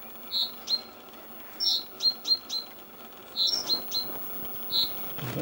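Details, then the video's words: Young long-eared owl calling in Edinburgh: short, high, squeaky notes, singly and in quick runs of two or three, over a soft background hiss. "Long Eared owl calling"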